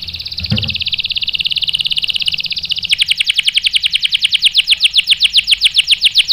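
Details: Canary song played to provoke other canaries into answering: a high, fast rolling trill that runs for three seconds, then switches to a slower, sharper pulsed trill of about four notes a second that grows louder.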